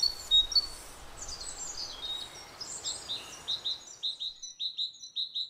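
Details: Great tit (Parus major) giving the shorter two-syllable version of its basic song. Faint, jumbled high bird chatter comes first, then about eight crisp two-note whistled phrases repeated in a fast, regular series.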